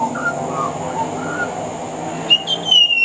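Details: A male pied butcherbird singing on a veranda in Australia, 4 February 2018, gives soft warbled notes, then a few clear, high whistles near the end, over a steady high hiss; his song includes mimicry of other Australian birds.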